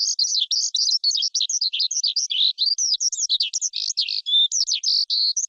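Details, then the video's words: Forest skylark singing a continuous, fast, high-pitched stream of varied chirps, trills and short whistles, with barely a pause for over five seconds and no other sounds. "Tiếng Chim Sơn Ca Rừng Hót Hay Nhất"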